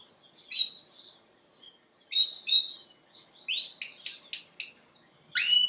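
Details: Canary giving scattered short chirps and whistled phrases with pauses between, then a quick series of four sharp high notes and a final bright call; quiet room otherwise.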